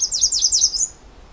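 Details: Female American Redstart singing at close range on a calm, warm, sunny day at Pine Tree Point: a high, thin phrase of about five quick down-slurred notes, rushed together in under a second, ending slightly higher.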